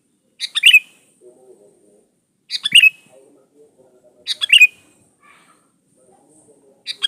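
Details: Lively sooty-headed bulbul song meant to call out a rival and lure other bulbuls. Short, bright, gurgling phrases repeat about every two seconds, four bursts in all, with soft low murmurs in the gaps.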